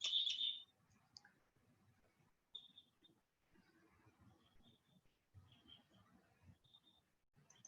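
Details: Red Crossbill, type 2 (ponderosa pine type), wintering locally and usually heard flying over: a loud, sharp, high flight call, then fainter clipped kip notes every second or so, over a low room hum.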